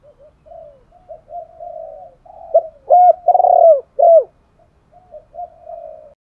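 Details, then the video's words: Spotted dove kept as a lure bird, cooing to call wild doves in: low soft murmurs build into a single strong phrase of deep, rounded, slightly wavering coos near the middle, then trail off into quiet notes. "chim cu gáy thúc gáy gọi bổi rất nhanh về cội/ tiếng chim cu gáy tập bổi và mồi hiệu quả"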